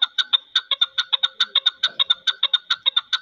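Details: A chukar partridge gives a fast, steady run of about twenty harsh, clucking chuk notes in just over three seconds, with no other sounds.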